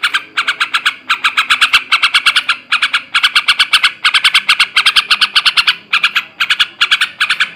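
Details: Male yellow-vented bulbul in a 'ngebrem ngekek' chattering style, used to stir breeding condition in kept birds: dense bursts of harsh, rasping notes in quick runs of four to eight, with short pauses between bursts.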